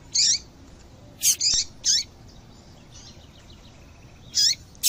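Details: Female double-collared seedeater call meant to excite males to sing: a quick series of about six short, high, buzzy chirps, some in close pairs, over a steady faint hiss.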